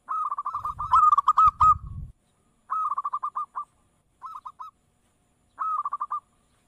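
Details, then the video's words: Zebra dove, known as perkutut, in a lure recording: a loud rumbling run of rapid coos, then three shorter, cleaner clusters of quick coo notes separated by brief silences. "Suara Perkutut dengar langsung NYAUT"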